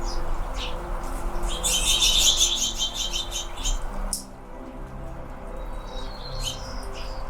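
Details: Anna's hummingbirds in fall in California, red-throated birds chirping; short, high, thin chirps cluster into a quick burst midway, then a few scattered notes, over a steady low hum and droning background tones.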